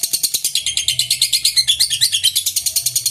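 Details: Extended lovebird ngekek song to stir rival birds into answering: a fast, regular stream of sharp high chirps, roughly three per second, with brief squeaky twitters overlaid midway.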